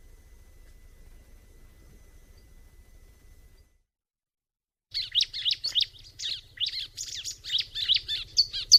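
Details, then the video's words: Bar-winged prinia song in a natural setting: after a few seconds of low hum and a silent gap, a dense burst of high, rapid chirps and twittering notes, rising in loudness toward the end over a steady low drone. "kicauan alam burung ciblek"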